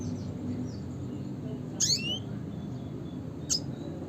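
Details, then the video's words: Single buzzy, descending red siskin call note with a brief upward flick, later one short sharp high chip, against a quiet low hum. "suara panggilan burung red siskin klasik (spinus cucullatus)"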